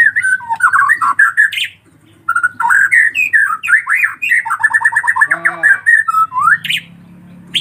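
Collared kingfisher chicks give a near-continuous stream of harsh, squawky chattering notes, some rising into brief whistles, repeated rapidly with only short pauses.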